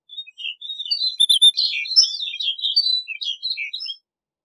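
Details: Snow bunting singing a continuous, rambling warble of high, quick chirps and slurred whistles for about four seconds, with notes tumbling up and down without pause and no other sounds.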